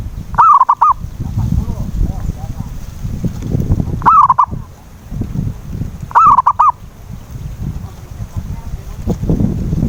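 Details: Lure call of a zebra dove, meant to prompt a silent dove to sing: three soft cooing phrases roughly two seconds apart, each one long note then quick short notes, with steady low rumbling noise throughout.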